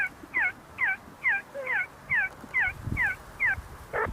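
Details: A flock of see-see partridges feeding and fighting on the grounds of the University of Sulaimani in Kurdistan. About nine sharp, down-slurred whistled notes come at a steady pace of roughly two per second, with low rumbling background noise toward the end.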